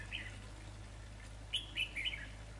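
Red-whiskered bulbul giving a few short, bright chirping notes in a quick burst, with a faint call just before and a steady low hum beneath.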